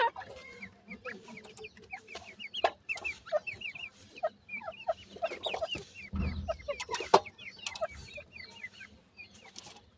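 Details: Chicks of the Indian grey francolin (gora teetar) keep up a busy chorus of short, high peeping notes, many rising or falling slightly, over steady clicking and knocking noises, with a brief low thud midway.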